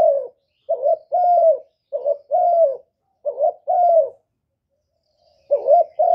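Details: Spotted dove uttering paired coos, a brief rising note then a longer mellow falling one. Three pairs come in quick succession, then a pause of over a second before calling resumes, with a quiet background.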